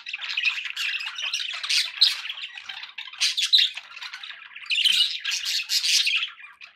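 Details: Budgerigars kept as pets squawking and warbling in a continuous raspy chorus, louder swells coming every second or so.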